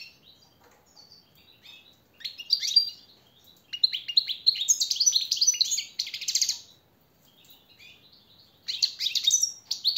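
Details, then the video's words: Training song of a captive European goldfinch meant to tutor other birds: scattered soft notes building into dense, tinkling twitters and buzzy trills, a pause, then another burst. "jilguero el reclamo maestro y motivador"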